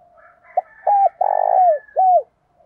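A spotted dove gives its deep, hollow coo: a short note, then drawn-out, purring notes that dip at the end.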